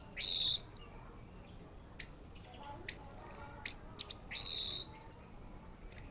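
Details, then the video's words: Orange-headed thrush singing in short separated bursts: high bright chirps and sharp whistled notes, with pauses between phrases and a hiss in the background. "Anis merah"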